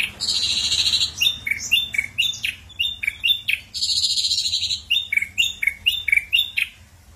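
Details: Ashy drongo song of mixed phrases: harsh buzzy bursts alternating with short sharp downslurred whistles, repeated in loose series with brief gaps.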